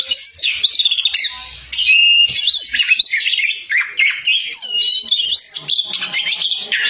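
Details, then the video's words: Oriental magpie-robin in full loud song, rapid chips, warbles and stretched whistled slurs tumbling one after another with hardly a break. "BURUNG KACER GACOR SUARA KERAS"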